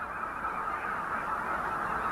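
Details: A large flock of wintering Canada Geese (Branta canadensis) on shallow river channels in late winter, gathered for safety in numbers, honking together in a dense, steady din of overlapping nasal honks with no pauses.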